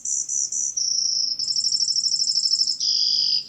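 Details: Brewer's sparrow song from the Sibley app: a long, high, canary-like run of trills—three buzzy notes, then a fast rattling trill, ending in a lower buzzy phrase.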